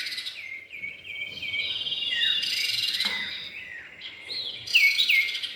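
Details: Common iora, male and female pair, as a lure recording: a series of short down-slurred whistles repeated about twice a second, then a bright upswept double note near the end, with a continuous high drone behind.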